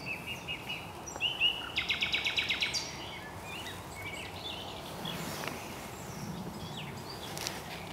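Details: A common nightingale sings at RSPB Highnam Woods, Gloucestershire, UK, on 2 May 2012, amid several singing nightingales: a brief phrase of high whistled notes, then a fast, even series of about ten sharp notes, over steady woodland background noise.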